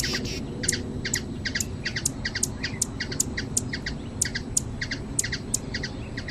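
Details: In Brazil's natural surroundings, a hummingbird repeats crisp, high tick-like chirps, mostly paired, roughly two per second, over a soft low drone.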